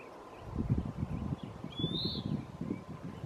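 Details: Western wood pewee (Contopus sordidulus) at Lawrence E. Wood Picnic Area: one high slurred note that rises slightly, then drops away, above a steady low rumble of wind.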